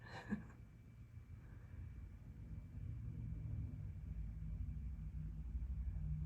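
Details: Low, continuous outdoor rumble like distant traffic, with one brief thump near the start and no animal calls.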